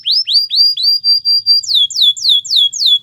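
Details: Belgian canary training song: upward-swooping whistled notes repeated about four times a second, switching midway to bright downward-curving whistles at the same quick, even rhythm.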